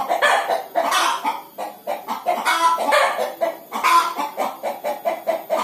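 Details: Hen about to lay an egg makes a continuous string of clipped, hoarse clucks. Some are longer and drawn out, and a rapid pulsing rhythm settles in toward the end.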